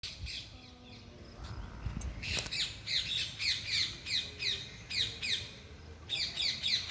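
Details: Parrots chirping loudly: rapid, repeated sharp downward-sweeping chirps, several per second, starting near two seconds and continuing to the end, over low rumbling background noise and a faint earlier whistled tone.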